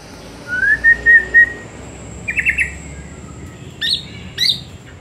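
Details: White-rumped shama in the afternoon, a lure recording to make birds sing more: a rising whistle, a short trilled phrase, then two sharp high notes against steady background hiss.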